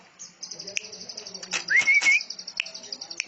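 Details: Greater green leafbird song in a canary-like style: a fast high trill of even repeated notes with a sweeping whistled phrase in the middle and scattered sharp chips.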